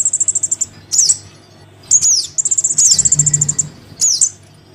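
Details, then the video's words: Lure call of a Crimson sunbird chick calling its parent: rapid even ticks, then sharp falling squeaks and a long run of high ticking notes, very high-pitched throughout, faint low hum. "Suara pikat [anakan sogon memanggil induknya] cocok untuk burung sogon yg susah turun.."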